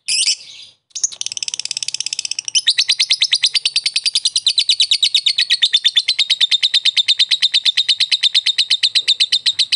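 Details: Fighter lovebird giving the ngekek chatter, used to provoke a rival into chattering: a short burst and a brief pause, then a long, rapid, high, buzzy trill of evenly repeated notes that steadies and grows louder after two seconds.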